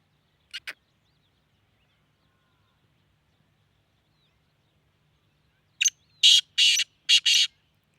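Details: Black francolin calling in Sindh, Pakistan: two short harsh notes, a pause, then a loud grating series of four rasping, buzzy syllables in quick succession against a quiet background.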